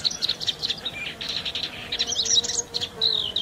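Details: Paddyfield warbler, recorded in its Central and Southeast Asian range, giving a busy run of high chattering and scratchy notes with short whistled phrases, steady background hiss.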